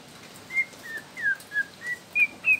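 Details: Young wild Bornean white-rumped shama, sung to prompt other shamas, heard at some distance as seven short clear whistles, gently rising and falling, over steady background hiss.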